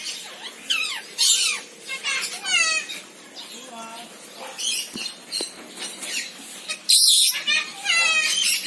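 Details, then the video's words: Senegal parrot producing a run of quick, sliding whistled notes, some in rapid trills, broken by a harsh screech near the seventh second. "SENEGAL PARROT SOUNDS - Suara Kicau Burung Beo Senegal"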